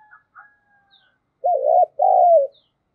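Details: Spotted dove lure recording in the 'giọng thổ' style, used to provoke calling: faint chirps at first, then one strong husky coo in two parts, a wavering first syllable and a drawn-out second.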